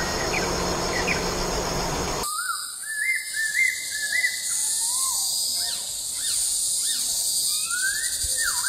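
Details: Natural lure call of a masked laughingthrush: a lively run of rising and falling whistles, some looping up and down, following a noisy opening, with faint hiss behind.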